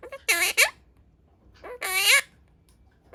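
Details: Pet pastel blue monk parakeet imitating speech: two drawn-out, voice-like phrases with nasal rising inflections about a second apart, separated by quiet.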